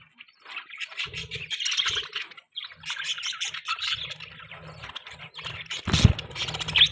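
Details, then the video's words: Busy budgerigar chirping: continuous scratchy warbles and twitters in overlapping bursts, with a sharp knock near the end and faint low thumps underneath. "Most beautiful budgie bird chirping sounds|Budgies Chirping Sounds"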